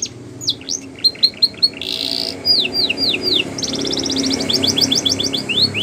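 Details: Training song of a Border canary for young canaries: scattered sharp chips and falling whistles, a buzzy burst, downslurred notes, then quick rolling trills against faint background noise.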